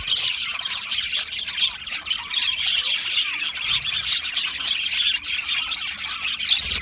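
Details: Budgerigar colony kept in an aviary, chirping and warbling nonstop; bright tweets and squawks from numerous birds layered into a steady chatter.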